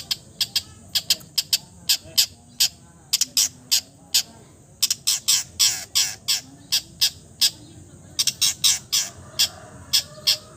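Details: Long-tailed shrike, known as cendet, said to imitate all kinds of bird sounds, giving a loud run of sharp, dry, high clicking notes in quick irregular bursts, some close doubles, with short gaps between.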